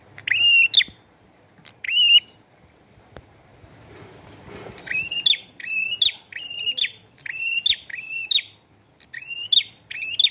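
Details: Prinia in full, lively song with rain: harsh buzzy phrases ending in a flat high tone, a couple early, then a quiet gap, then a fast series of about eight phrases.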